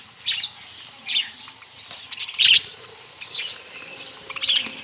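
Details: Budgerigars being hand-fed in a mini aviary, several birds together: sparse high chirps and warbles spaced about a second apart, one louder squeaky burst midway, over quiet background rustle.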